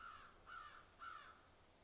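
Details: Crows picking at and eating food, giving three short, harsh caws spaced about half a second apart, fairly faint over a steady background hiss.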